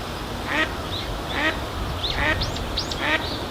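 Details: A few rasping quacks from an Eastern spot-billed duck giving contact calls, irregularly spaced, accompanied by thin high whistled notes from other birds and a quiet ambient background.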